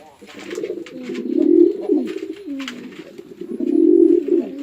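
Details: Farm pigeons in Chittagong District, Bangladesh, male and female attacking one another: a continuous deep, wavering coo that swells twice, with light scratching and tapping sounds.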